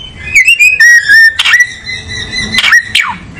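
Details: Oriental magpie-robin giving long, steady whistled notes held on one pitch, broken by a couple of loud, quick downward-swept notes and brief rasping bursts.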